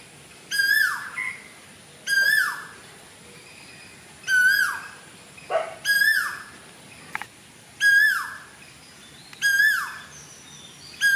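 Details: Sri Lankan cuckoo song recorded in June 2024: a series of six loud whistled notes, each flat then dropping, spaced about one and a half seconds apart, with brief faint calls from other birds between them.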